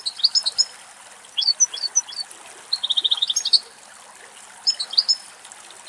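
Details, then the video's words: European goldfinch, described as a female feeding on abundant food very close by in Greek countryside, singing: quick, tinkling high twitters and liquid trills, a fast run of repeated notes midway, faint trickle of water underneath. "Καρδερίνα Κελάηδημα - European goldfinch song"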